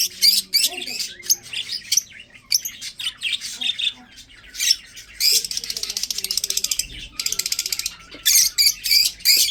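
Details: Chattering of breeding budgies: dense scratchy squawks and chirps overlapping, a stretch of rapid rattling buzzy notes, then more sharp squawks; faint low hum in the background.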